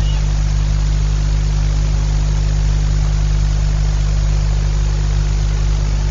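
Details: Loud, constant engine idling hum with a strong low drone and hiss, no calls heard.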